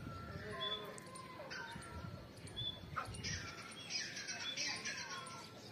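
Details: Female grey francolin (Francolinus pondicerianus), recorded 29 November 2022, gives harsh, squawking notes in short bursts over a few seconds, with thin whistles and faint rustling in the background; chicks are mentioned.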